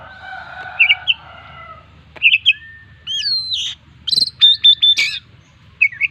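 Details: Oriental magpie-robin singing with imitated fill-ins, described as chatty and used as a lure to prompt other birds: short sharp whistled notes and slurred rising phrases separated by pauses, with a drawn-out harmonic tone at the start and a low hum throughout.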